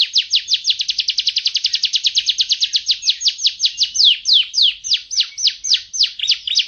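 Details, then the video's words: Bird singing a long rapid trill of high descending notes that speeds up, then slows into separate sweeping notes near the end, loud and clean. "suara burung"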